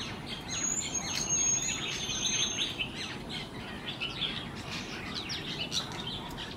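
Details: Jerdon's bush lark singing in Kerala, India: a loose stream of short chirping and twittering notes, with a thin high whistle early on, over steady outdoor background noise.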